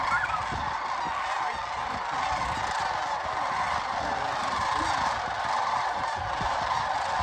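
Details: Many sandhill cranes calling together at Jasper-Pulaski Fish & Wildlife Area, Medaryville, Indiana, in late November 2023; continuous layered trumpeting with rolling rattles, a few nearer calls rising briefly above the crowd.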